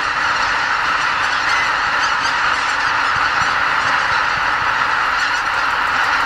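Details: Before dawn at Lake Miyajimanuma in Bibai, Hokkaido, about 80,000 migrating greater white-fronted geese lift off from the marsh roost in spring, heading for nearby fields. The sound is a continuous mass of shrill, yelping honks with no pauses.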